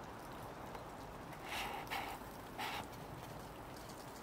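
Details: A hooded crow (Corvus cornix) in Ljubljana Botanical Garden, 23 January 2024, gives three harsh, hoarse caws in quick succession over a steady rain-like hiss.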